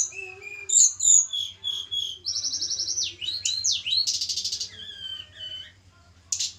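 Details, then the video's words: Javan mountain tledekan (tledekan gunung) during pairing, sweet-voiced: bright whistled notes, a long steady high tone, then quick up-and-down swooping phrases and a buzzy rattle, all high-pitched and busy. "penjodohan tledekan gunung jawa. tempel satu mingu lagsung jodoh. si kecil cabe rawit bersuara merdu"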